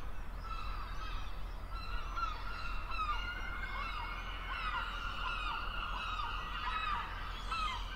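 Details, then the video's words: Several gulls over the sea keep up a dense chorus of nasal, wailing calls. Bent and slurred notes overlap throughout, with a steady low background roar. "Relaksujące odgłosy mew nad morzem!"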